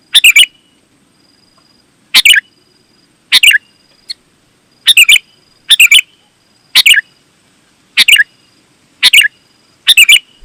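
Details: Sooty-headed bulbul in chatty song meant to lure wild bulbuls and get kept birds to respond; nine short bubbly phrases roughly one per second, each two or three bright notes, plus one small isolated chip.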